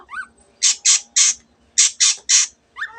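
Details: Long-tailed shrike calling loudly amid its mimicked canary and bird phrases: six harsh, rasping, broadband squawks in two groups of three, each about a fifth of a second, framed by faint whistled notes.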